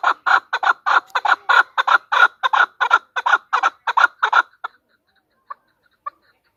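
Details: A female chukar partridge utters a rapid string of loud, rasping clucks for over four seconds. Near silence follows, broken by two isolated short notes.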